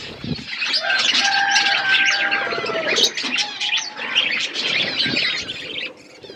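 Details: Budgerigars relaxing, a dense flock chatter of warbling chirps and short whistles, with a few longer steady whistled notes near the start and a low thump at the opening.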